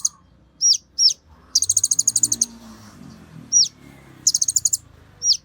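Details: Kolibri Ninja sunbird singing energetically as a tutor for others of its kind: high downward-hooked chips spaced about half a second apart, broken by fast stuttering trills of around a dozen shrill notes, with faint background noise.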